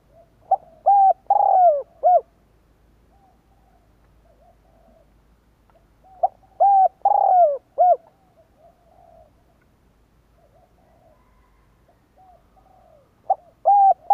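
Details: Spotted dove call used to lure wild doves, repeated about every six seconds across three phrases, each a quick note, held coos, a long downward-sliding coo and a short final coo, with soft quiet cooing between.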